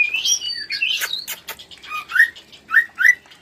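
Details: White-rumped shama mating sound for stimulating breeding in other shamas: brief mix of high whistles and scratchy notes, then three upward-sweeping whistles spaced about half a second apart.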